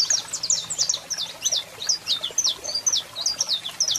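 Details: Male saffron finch singing with a calling female: a steady stream of high, downslurred chip notes, about three per second, bright and clear over a low background hum.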